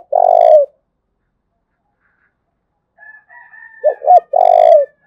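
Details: Thúc bổi calling by a spotted dove, Đồng Nai, Vietnam: the end of a long low coo, a pause, then a full phrase of two short rising notes and a drawn-out coo, with faint higher background calls.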